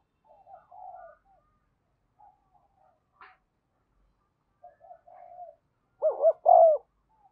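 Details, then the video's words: Decoy spotted dove luring wild birds: scattered faint, low coos and a brief click, then a loud closing phrase of a rapid doubled coo and a long, strong, slightly wavering coo. "Chim Cu Mồi Thúc Và Gáy Gọi Bổi Nhanh Về Cội"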